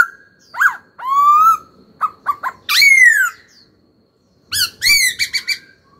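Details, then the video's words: Young caged laughingthrush sings vigorously: long bright slurred whistles, short clipped notes, and a rapid stuttering run of high notes, delivered as encouragement for other birds to sing. "Khướu hót cực hay, kích bổi hót ngay"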